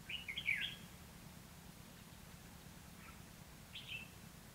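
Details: Fighting song of a red-whiskered bulbul, recorded while trapping wild birds on 29 February 2016: one loud, tumbling burst of bright warbled notes, then a softer short phrase about three seconds later over quiet background hiss.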